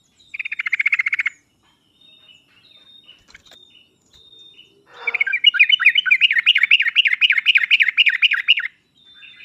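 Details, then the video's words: Sooty-headed bulbul song used as a lure for a hesitant singer. A tight buzzy burst comes first, then a long, rapid, rolling warble of quickly repeated notes lasting nearly four seconds. "pancingan dan masteran trucuk paling cepat di sambar trucuk malas/susah bunyi langsung nyaut"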